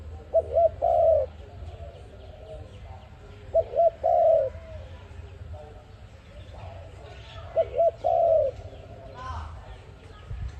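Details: Dove, called ARIMIX dove, calling as a lure sound for trapping: a three-part coo of two short hooting notes then a longer falling note, repeated roughly every four seconds, with faint chirps of other birds in the background.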